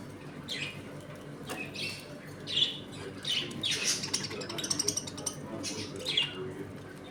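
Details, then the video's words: Budgerigars in a home colony eating, playing and fighting, with repeated scratchy high chirps and squawks spaced a second or so apart and some fluttering, over a low indoor hum. "Budgies Eating and play time in my home colony."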